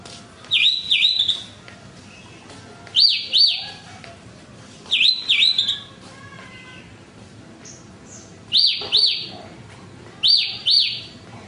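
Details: Horsfield's bush lark singing clear, sharply arched whistled notes in close pairs, the pairs repeated about every two to three seconds, with soft faint chirps between them.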